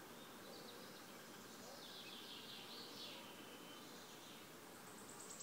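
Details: Wood warbler song recorded 5 June 2016 at Březinka nature reserve, Náchod-Běloves: a high, shivering trill lasting about a second, then thin high notes, faint over steady hissing background noise.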